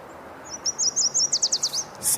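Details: Yellow Warbler singing on 13 May 2023 at a wetland with high water levels, nearby but out of view: a bright, high, quick series of about ten sweet notes speeding up toward the end, followed by clapping.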